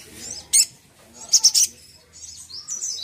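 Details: Little spiderhunter sound used to anger a rival: a few separate, sharp high chips and a short burst of two or three notes, with thin whistles at the end.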